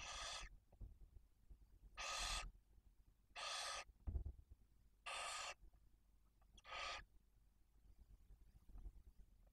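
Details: Barn owl nest in Cabañeros National Park, Spain, holding a female and two very young chicks. Five noisy, rasping hisses are repeated about every one and a half seconds over a rustling background with occasional low thuds.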